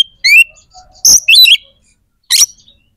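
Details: White-rumped shama producing a rising whistled trill, a harsh burst with warbled notes, then another short harsh burst after a pause.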